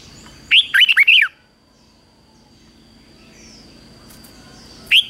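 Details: Red-whiskered bulbul in morning song training, a fighting-style song used to excite wild-caught birds. One brisk phrase of five chirpy, swooping whistles is followed by a long pause and a single final slurred note. A faint continuous tone sits behind.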